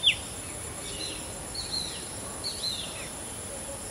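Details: Black drongo (Bengali ফিঙে) mimicking the call of a shikra: a sharp opening note, then several thin, high, down-slurred whistles spaced under a second apart over steady background hiss.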